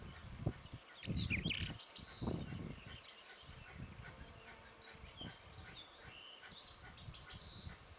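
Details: Male Red-tailed (Kurdish) wheatear by a side road up to Nemrut Dagi from Karadut, Anatolia, Türkiye, 8 May 2024, giving short, scratchy, high chirps in an irregular scatter over low rumbling wind and handling thumps.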